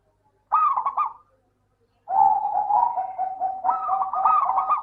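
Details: Local zebra dove, kept as a lure to prompt lazy doves into singing: a bright trilled coo around one pitch, a short burst then a longer rolling phrase ending in quick stuttered notes.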